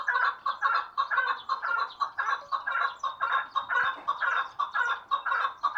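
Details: Chukar partridge, a hunting bird, gives a steady run of hoarse, clucking chuk notes about twice a second, each a short rasping burst, carried on evenly throughout with no other sounds.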